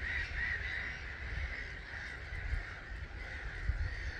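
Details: Starlings, an estimated 250,000, stream away from their roost at 05:45 one March morning at Gibraltar Point NNR. The roost gives a loud, rolling chatter that surges in waves, underlaid by deep rushing noise and occasional thumps.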